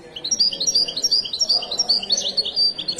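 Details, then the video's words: A Moroccan European goldfinch sings a fast, tinkling run of high twittering notes and liquid trills, bright and unbroken throughout. "تغريدة طائر حسون"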